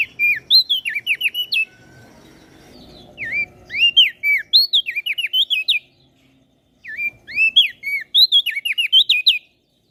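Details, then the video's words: Masteran recording of a common iora with a bar-winged prinia for training cage birds: repeated bursts of loud, high, hooked whistles, each run several notes long, separated by brief silences. "Opior Jambul gacor Mental Juara Masteran Jitu Burung Prenjak Daun Lombok"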